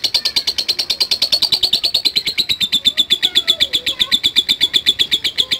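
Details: Lovebird calling in the rapid 'ngetik' ticking style in response to a lure recording: a fast, even run of high sharp ticks, about eight per second, sliding slightly lower in pitch and holding steady throughout, with faint low tones underneath.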